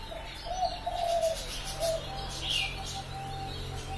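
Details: Lure call of a spotted dove in the pesum lapis ketiga style, meant to draw in doves: one short, low cooing phrase of a few soft notes, with a brief high chirp from another bird afterward.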